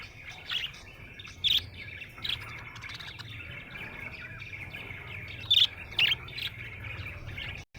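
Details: Happy budgie murmurs in a low, continuous buzzy warble, punctuated by a few loud, sharp chirps standing out above the chatter.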